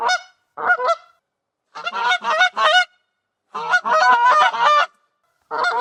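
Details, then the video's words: Rapid harsh goose honks run together in dense clusters, some calls stretched into longer nasal blasts, goose sounding alert and vigilant with brief silent gaps between bouts. "SOM DE GANSO"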